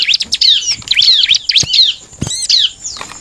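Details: Bar-winged prinia song meant to provoke rival birds into singing: loud, rapid, high downslurred notes repeated in quick bursts, with a few sharp clicks between phrases.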